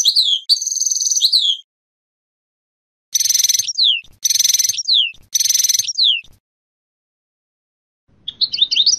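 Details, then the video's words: European goldfinch song in 'sorties' phrases: a tinkling opening phrase, then three similar bursts about a second apart, each a dense metallic twitter ending in a falling slur, and a final thin chattering fragment. "Les sorties chant chardonneret تعلم لغة الحسون الدرس الاول"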